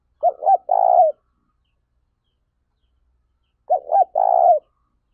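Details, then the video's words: Spotted dove kept as a highly excited lure bird to stir up and train other doves, 2021. It repeats a three-part coo twice, two clipped notes and a long vibrating note, about three and a half seconds apart. "Chim Cu Gáy Mồi Cực Sung Dùng Tập Mồi Kích Bổi"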